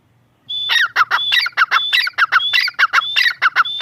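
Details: Following a short silence, the grey francolin or teetar breaks into rapid repeated phrases of rough, clipped notes and a high whistle, keeping a steady beat to the end.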